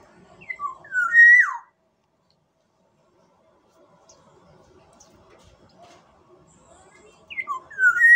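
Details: Fluty song of a black-naped oriole from Sumbawa, a phrase of quick notes ending in a loud falling whistle, heard once and then beginning again after several quiet seconds of low background noise.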